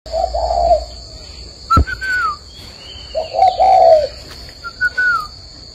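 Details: Spotted dove cooing in the morning at a dove-breeding garden in Ba Vì, Vietnam: two low, hollow, slightly wavering coo phrases, a sharp click between them, and faint higher whistled notes from other birds.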